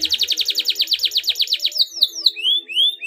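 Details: Canary singing on a lure recording for stirring caged birds to sing: a rapid series of high notes dropping in pitch, then separate sweeping whistles that rise then fall, repeated about twice a second.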